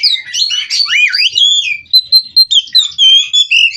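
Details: White-rumped shama, a captive-bred bird from Cirebon, singing a continuous rolling song: swooping whistled slurs and warbles, then a run of short sharp repeated notes.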